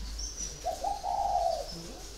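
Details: Caged spotted dove, kept in a cage for four years, gives one smooth, low coo lasting about a second, slightly rising then level, against a quiet background.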